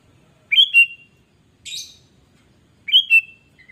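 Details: Vigorous sooty-headed bulbul song meant as a lure for other birds: three quick whistled phrases about a second apart, with rising notes dropping to a held tone and one brief scratchy burst between.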